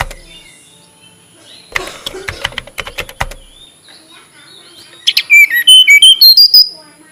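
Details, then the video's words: Tledekan gunung flycatcher singing: a run of clear, high whistled notes stepping up and down near the end, after a burst of sharp clicks and rustling. "Kicau Merdu TLedekan Gunung"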